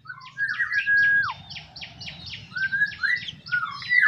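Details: Morning singing by an Ashy drongo, used to draw song from other birds: a string of rapid buzzy notes repeated several times a second, with a held level whistle dropping away, then rising slurred notes.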